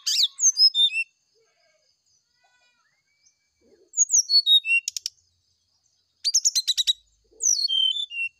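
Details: Morning song of a brown-chested jungle flycatcher, used to draw a response: bursts of high whistled notes sliding downward, mixed with rapid rattling chips, repeated in three or four phrases separated by silent pauses.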